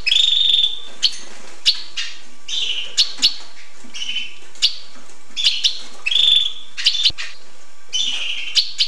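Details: Hooded siskin song, a lively run of twittering, slightly buzzy phrases and sustained warbled notes mixed with quick sharp chips, almost continuous throughout.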